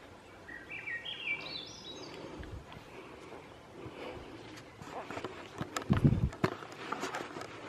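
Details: Swainson's thrush on France Brook Road, one breezy phrase spiralling steeply upward in quick stepped notes during the first two seconds, followed by rustling, thumps and footsteps-like noise against a constant outdoor hiss.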